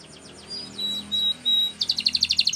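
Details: Canary song for training: faint sliding notes and three sustained high whistles, then a fast bright trill of clipped repeated notes.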